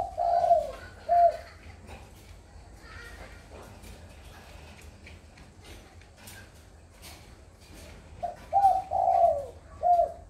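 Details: Spotted dove, very tame, cooing steadily at 4:30 in the afternoon. Two hollow coos open the phrase, a long quiet stretch of faint background noise follows, then a run of four mellow coos closes it.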